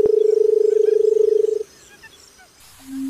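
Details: Barred buttonquail giving a low, rapidly pulsing hum for about a second and a half, then stopping abruptly; quiet faint chirps follow, and a short low tone enters near the end.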